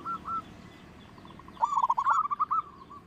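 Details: Local zebra dove with a strong voice, used as a lure to make other birds sing. Two soft introductory coos, then a fast rolling, stuttered trill of cooing notes that ends in a fading held note, over constant low background hum.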